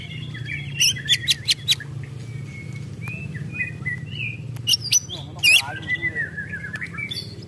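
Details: Agitated white-rumped shama, ketrekan: sharp clicking ticks arrive in short clusters, interspersed with quiet whistled notes, over steady low background noise.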